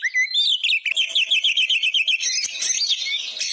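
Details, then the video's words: Oriental magpie-robin in tutor song for caged birds: a few sweeping whistles, then a fast even series of repeated chipping notes, then a dense harsh trill. "Masteran isian ful burung kacer gacor"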